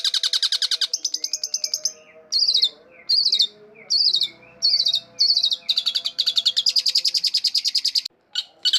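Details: Long-tailed shrike in continuous gacor song for luring: rapid buzzy note trains alternating with high, slurred whistled phrases in quick succession, building into a long dense chatter before a brief gap and a final burst; faint low hum throughout.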